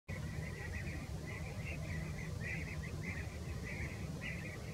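European bee-eaters give a steady run of rolling, burry 'prrup' calls, several notes a second and sometimes overlapping, over a heavy low rumble of wind or distant traffic.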